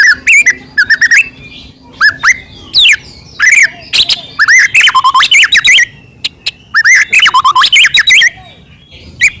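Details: White-rumped shama in full varied song, played to make other shamas sing: bursts of looping, wavering whistles and sharp clicks separated by short pauses, each phrase different from the last.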